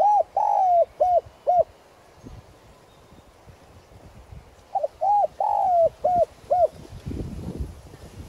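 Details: Decoy spotted dove giving its calling coo in a 'son' voice style to lure and stir up wild doves: two phrases of clear, arched, hooting notes, short coos followed by a longer drawn-out one, with a quiet gap between.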